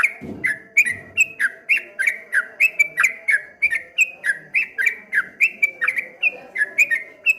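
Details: Streak-eared bulbul delivering its ropel ngombak banyu song, with dense repeated whistled notes that swoop down and back up, over a few soft low knocks near the start.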